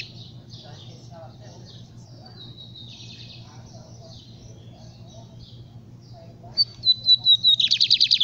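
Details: Lined seedeater song arriving late after quiet background hiss: a few high whistled notes sliding downward, then a rapid buzzy trill of roughly ten pulses.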